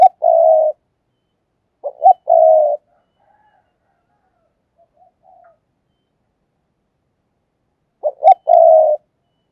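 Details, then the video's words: Caged decoy spotted dove calling to lure others: short clipped notes lead into a steady mid-pitched drawn-out coo, with the phrase repeated about every six seconds and silence between. "cu moi/ tiếng cu mồi"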